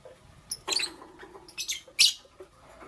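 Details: Lovebirds, green Fischer's and pastel blue, chirping in the morning: a string of bright, scratchy high chirps ending in one loud piercing squeak, with slight background hiss.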